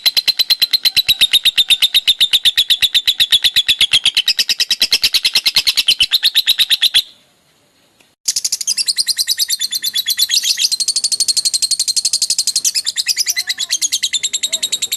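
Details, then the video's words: Lovebird ngekek konslet, a long, rapid, high rattling trill lasting about seven seconds, then a second-long break, then the rattle resumes, sounding brighter and buzzier. "Burung lovebird ngekek konslet"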